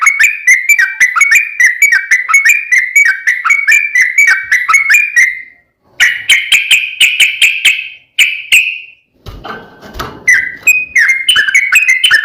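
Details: Yellow-vented bulbul delivering a long, fast fighting-style song used to make other bulbuls reply at once; quick whistled notes repeat in long runs broken by short gaps, with a brief noisy patch midway.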